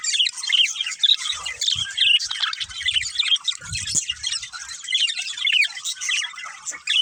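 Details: Two budgerigars, a breeding pair, chirp in a lively, bubbling chatter: clear whistled rising and falling tweets stand out above scratchy warbling, in bursts that swell and fade, with faint low bumps.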